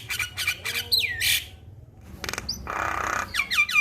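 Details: Male Javan myna in a master recording meant to trigger other mynas to sing: harsh broadband clicks, a descending whistle, a rasping burst, then a hoarse noisy block and repeated slurred whistles.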